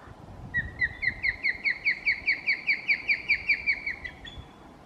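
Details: Young osprey sitting in a nest at Emerald Bay, Lake Tahoe, answering its parent's call: a fast run of about sixteen clear whistled chirps, each rising then dropping, two to three per second, ending abruptly, over low rumbling background.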